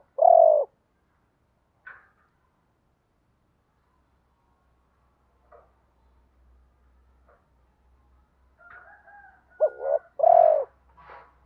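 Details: Spotted dove coos meant to make other doves answer: a loud low coo at the start, scattered faint notes and a low rumble, then a clipped double note and a strong coo near ten seconds.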